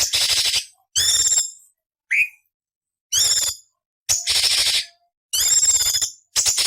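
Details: Rasping 'beset nyerecet' material from a cucak cungkok for training shama, leafbird and magpie-robin: a series of grating broadband bursts about once a second, one short rising whistle between them, otherwise quiet.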